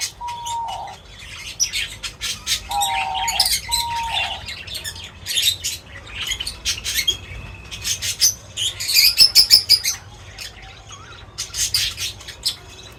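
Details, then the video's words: Feeding birds chirping: dense bursts of short, high, sharp chirps and scratchy notes, with several brief, steady, lower whistled tones early on and faint rustling between calls. "Crazy Birds Feeding Reaction : Birds Chirping Sounds"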